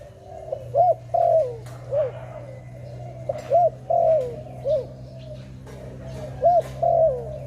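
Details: Dove cooing in repeated phrases, each a short arched note, a longer drawn-out falling coo, then another short note, the pattern coming roughly every three seconds against a low steady hum and faint bird chirps.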